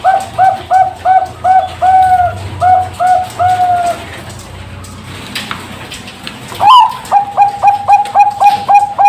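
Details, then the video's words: Zebra dove of the Bangkok type, a captive bird from Pasuruan, East Java, Indonesia, hatched 24 September 2023: stepped double-pitched cooing phrases, a few seconds of quiet, then a fresh burst of quick, evenly spaced coos. "PERKUTUT BANGKOK SUARA LENGKAP"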